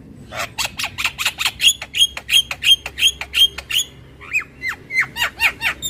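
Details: Javan myna producing a steady fast series of harsh squawks, some carrying a high whistled overtone, then shifting to lower, nasal, downslurred notes.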